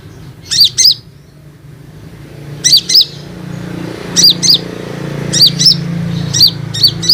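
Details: Olive-backed sunbird used as a lure for untrained and flock-kept sunbirds: high, sharp chip notes in widely spaced pairs and triplets, with a quiet low rumble in the background.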